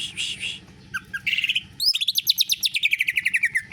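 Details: Greater green leafbird delivering canary-like phrases, harsh buzzy notes and a few chips leading into a long, rapid rolling trill that slides gradually downward.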